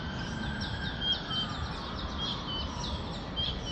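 Collared kingfisher giving a run of short, sharp, high chipping notes about three or four per second, over steady low rumbling background noise and a thin insect-like whine.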